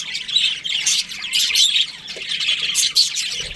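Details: Budgerigars in a breeding colony, bright twittering and scratchy squawks crowding together, with short louder bursts of chirps between softer stretches.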